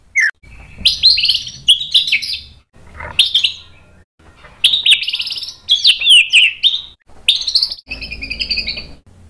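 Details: White-rumped shama in a lure recording for training captive birds to sing: dense bursts of high, buzzy, sweeping phrases separated by short silences, with a faint low hum underneath.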